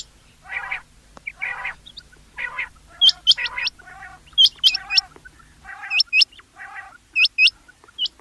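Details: Rain quail giving paired, hooked whistles at steady intervals in the second half. Earlier, buzzy mid-pitched calls repeat about once a second over a low background hum.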